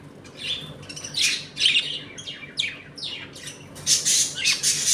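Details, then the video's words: Budgerigars of a home colony eating and playing; loud rapid chatter of falling chirps and harsh squawks, growing busier toward the end. "Budgies Eating and play time in my home colony."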